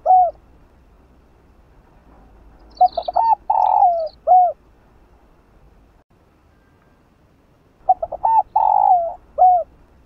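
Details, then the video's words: Two spotted dove coo phrases about five seconds apart, played to stimulate a slow-cooing dove. Each has quick short hoots, a rolling falling coo and a closing note, with faint high chirps behind. "Nếu Cu Bạn CHẬM GÁY Hãy Cho Nó Nghe Tiếng Này !!! Cu Gáy Kích Bổi"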